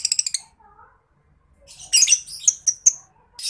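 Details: Lovebird chattering in ngekek style as a master sound for contest birds: a fast rattle of clipped notes, faint lower whistles, then a shrill jumble of sharp chirps and a last harsh note.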